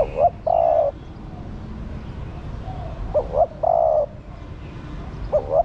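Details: Female spotted dove calling to prompt the male. Repeated low, cooing phrases of two brief rising notes, then a long even coo, come roughly every three seconds over steady background hum.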